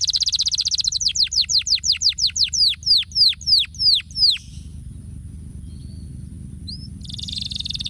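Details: Canary singing as a stimulating sound: a rapid high buzzy trill, then about a dozen clear descending whistled sweeps at roughly three per second, a brief pause with one short note, and the buzzy trill returning, over a low steady hum.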